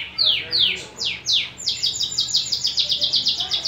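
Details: Persian canary song: several loud descending swept notes at a slow pace, then a fast, even trill of repeated high notes, about five per second.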